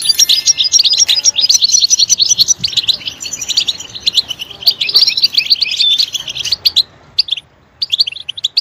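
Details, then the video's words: European goldfinch song meant to stimulate other goldfinches; a rapid, unbroken twitter of bright chirps and buzzy trills, followed by a near-silent moment and a final burst of chirps. "Stimulating a goldfinch clip to make it chirp in a loud and wonderful voice"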